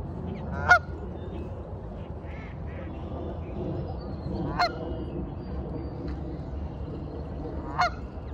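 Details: A male goose calling desperately for his separated mate: three loud, nasal honks spaced a few seconds apart, over a steady low rumble of background noise.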